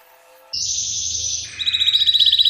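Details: A Yorkshire canary's powerful song. A soft low tone is followed by a loud sustained high whistle, then a fast rattling trill of repeated notes.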